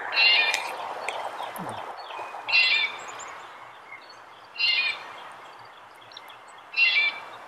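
Red-bellied Woodpecker giving short, rolling, trilled 'kwirr' calls, four of them about two seconds apart, over a steady low background hiss.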